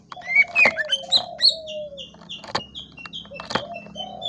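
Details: Greater green leafbird song: a varied run of short clear whistled notes, some rising and some falling, plus a longer lower sliding whistle. Sharp clicks or knocks are heard with a faint steady low hum underneath.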